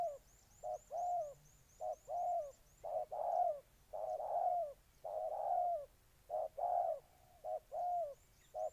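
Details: Spotted dove in Ninh Thuận, Vietnam, repeating mellow coo phrases of a short note followed by a longer swelling one, fairly regular. Faint rapid high chirps come from another bird.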